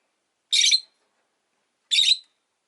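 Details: Rosy-faced lovebird giving two loud, harsh, high chirps about a second and a half apart, each short and dense, with silence between.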